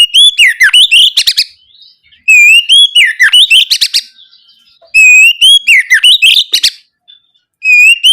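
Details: Oriental magpie-robin singing vigorously, a lure meant to prompt young birds to respond; three repeated phrases, each beginning with a clear sustained whistle and tumbling into fast descending slurs and clicking chips, with short silent gaps.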